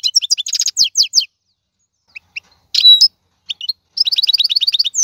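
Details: European goldfinch, wild-caught maqnin, 2022. Quick twittering phrases are interrupted by pauses and a few isolated notes, then a fast series of repeated chirps at the end.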